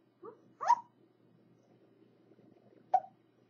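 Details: Pet African grey parrot learning to talk, kept indoors: three short voiced squawks, two close together at the start and a sharp one near the end, with quiet room hum between.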